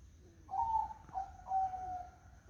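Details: On a foggy morning, a zebra dove gives one cooing phrase of three notes: a bright first coo, a brief second, then a drawn-out slightly descending third, with soft background hiss.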